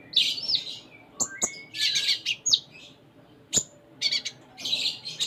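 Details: Sunda minivet (konin) singing actively in a richly varied 'full isian' style: bursts of bright, high chirps and short whistled slurs, separated by brief pauses, with sharp clicks between phrases.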